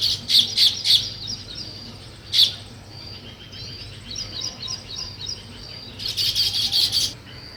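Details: Weaver birds building a nest, giving bright, high chirps in quick clusters, with loud bursts of rapid twittering near the start and again toward the end.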